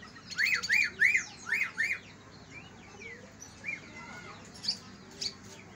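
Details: Greater green leafbird song contrasting Kalimantan and Banyuwangi birds, used to spur sluggish leafbirds into singing: five loud arched chirps in quick succession, then softer varied whistles and a few high sharp notes.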